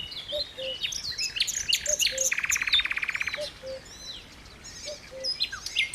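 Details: Pepuk, a cuckoo from Dersim, repeating a mellow two-note call four times at steady intervals, with a loud buzzy trill and assorted chirping from other birds overhead.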